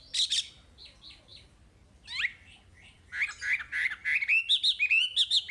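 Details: Chinese hwamei song for training caged birds: scattered loud whistles and a rising slur, then a quickening sequence of short repeated notes climbing gradually in pitch.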